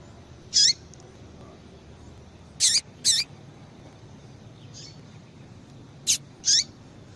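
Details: Calling female Double-collared Seedeater, kept to excite singing in males; clipped high chirps come in pairs and singles, one fainter call in the middle, over steady low background hiss.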